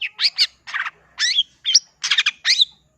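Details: Long-tailed shrike delivering loud, rasping squawky notes in short bursts, some with rising whistled edges, spaced about every half second.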